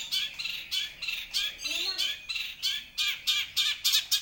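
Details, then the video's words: Spirited long-tailed shrike song made of harsh, squawking notes repeated in a steady rhythm, each a rasping burst with a falling edge, mixed with a brief softer warble midway. "Burung Cendet Nggacor"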